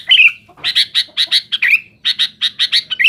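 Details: Loud rival-challenging song from a sooty-headed bulbul, a rich whistled slur followed by quick rhythmic chirp series and another descending whistled note.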